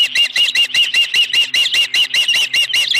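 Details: Osprey at the Dunrovin Ranch nest holding a fish, 26 May 2020, late afternoon, live camera view: a fast, even string of about a dozen shrill, slightly downslurred whistled chirps over three seconds.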